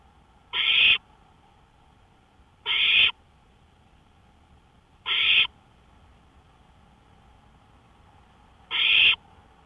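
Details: Owl on a porch in the early hours of May 5, 2013, around 1:53 AM, giving four harsh, raspy hissing screeches, each under half a second, spaced about two to three seconds apart and slightly irregular, over a faint steady hum.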